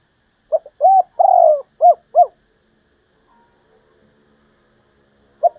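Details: Spotted dove decoy, called a one-in-thirty singer: a rapid phrase of short low coos around a longer coo, then about three seconds of quiet and one more short coo.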